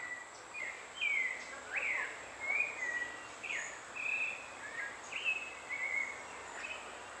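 White-throated manakin giving a run of high, thin, slurred notes, some rising, some falling, about two each second, over a steady high insect hiss.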